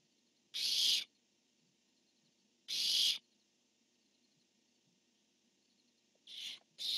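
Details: Barn owls, male calling, female answering, dated 10-1-15: two strong, harsh screeches about two seconds apart, a long pause, then two shorter, fainter screeches close together at the end.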